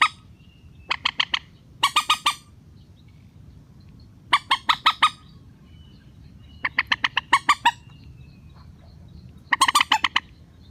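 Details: Rail call played as a trapping lure to draw birds down to nets: five clusters of quick, clipped, nasal notes, each burst of three to six notes separated by silent gaps, with a faint thin tone in between.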